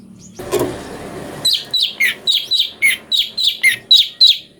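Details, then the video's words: Brown-breasted bulbul (cucak cungko) song used to train magpie-robins: following a burst of rustling noise, a steady string of about twelve bright, slightly buzzy chirps, some sliding lower, repeated roughly every third of a second. "CUCAK CUNGKO||fariasi suara cungko buat masteran murai"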